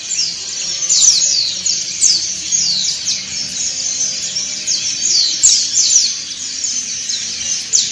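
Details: A group of white-eyes (pleci dakun and montanus) singing ngriwik together, used to train other white-eyes: shrill, thin notes sliding downward in rapid overlapping bursts, a steady unbroken high chatter.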